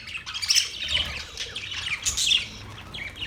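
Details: Softer budgie chirping and twittering, high and scratchy, with a few sharper squeaks around half a second and two seconds, over faint low background noise.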